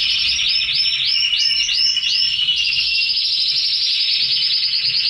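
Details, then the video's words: Red canaries in captivity; a run of repeated upward-sweeping notes in quick series, then a steady rapid buzzy trill that continues to the end. "Canary sings"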